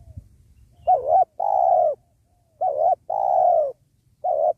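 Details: Spotted dove cooing during trapping beside a sacred tree to lure wild doves: loud, hollow mid-pitched coos in pairs, a short warbled note then a longer falling one, repeated about every two seconds over a quiet background.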